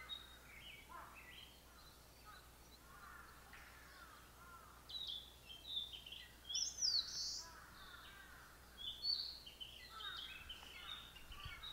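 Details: Brown-headed thrush (Turdus chrysolaus) song, recorded in Japan on 28 April 2019: short bursts of clear, high whistled notes, loudest midway through, over steady background hiss with faint chirps of other birds.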